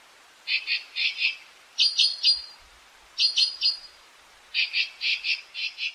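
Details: Clusters of two to four grating, raspy calls from an azure-winged magpie, repeated at roughly one-second intervals.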